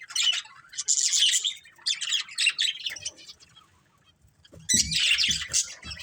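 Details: Pet budgerigars in a colourful family group chatter in long buzzy warbling runs with squeaky chirps, fading to near silence before a loud renewed outburst with low rustles.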